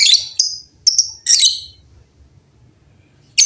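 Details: Lovebirds chatter loudly in reply to one another. Piercing raspy shrieks and shorter squeaky notes come in an uneven cluster, fall silent for over a second, then a final shriek.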